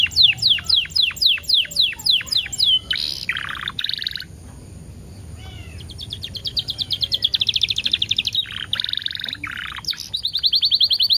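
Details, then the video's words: Canary prompting song, spaced by ten-second gaps to spur canaries into singing: slow repeated downward whistles, buzzy bursts, a quiet gap, then a long, fast, rolling high trill with harsh interjections. "PANCINGAN KENARI TERBAIK DENGAN JEDA 10 DETIK LEBIH EFEKTIF"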